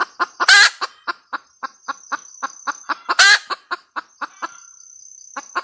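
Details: Cackling red junglefowl hen. Rapid evenly spaced clucks are broken twice by a loud harsh screech, while a steady high-pitched insect trill runs underneath.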